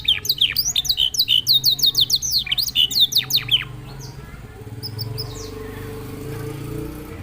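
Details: Canary singing in a style likened to a songbird from Senegal: a fast, loud burst of sharp high chirps and downslurred notes, repeated about three per second for three and a half seconds, then quiet background hum.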